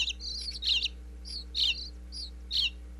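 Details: Bluebird chicks in a nest box in Pennsylvania chirp at a feeding visit, close-miked wirelessly inside: brief high, bright twitters and thin notes in spaced bursts roughly every second over a faint steady hum.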